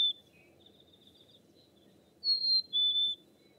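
A chickadee gives a clear two-note whistle, a higher note then a slightly lower one, after fainter whistles, over a soft low background rumble.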